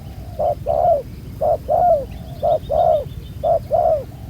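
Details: Cooing from a wild-caught spotted dove with a black bead-like collar, used in ground-decoy trapping. Each short coo is followed by a longer falling one, in paired phrases under a second apart.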